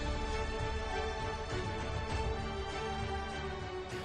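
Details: Steady instrumental background music with sustained tones and a low bass pulse, no animal calls audible.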